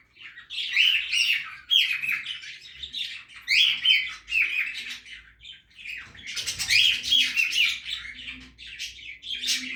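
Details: Budgerigars in a backyard aviary while feeding, producing lively scratchy chatter with squawks and chirps, swelling into louder bursts and overlapping voices.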